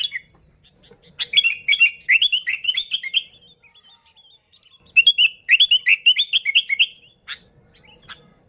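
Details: Sooty-headed bulbul song for luring bulbuls: two long runs of rapid chirpy, bouncing notes, each lasting about two seconds, separated by a short pause; background otherwise quiet.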